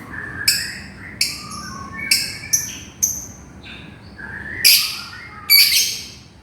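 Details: Lovebird calling to its companion, giving spaced shrill chirps, some sliding lower, with pauses between, ending in two louder harsh screeches.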